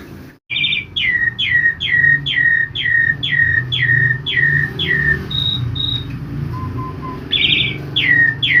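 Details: Asian pied starling recorded in forest: a run of eight quick downslurred whistles, roughly two per second, then a pause with short high flat whistles and faint soft piping before the falling notes resume.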